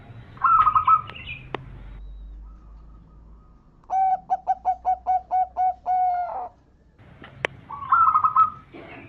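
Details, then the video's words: Perkutut, a local zebra dove, singing a lure song meant to get other zebra doves singing: a trilled rolling phrase, a pause, about eight short evenly spaced coos, then the trilled phrase again. "Perkutut lokal gacor RAJA PIKAT ini bikin semua burung perkutut gacor nyaut"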